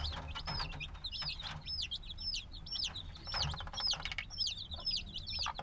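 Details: Black chicks hatched a few days ago, still needing the mother's warmth, peep noisily: many high, downward-slurred chirps overlapping rapidly, with low background rumble and scattered clicks and taps.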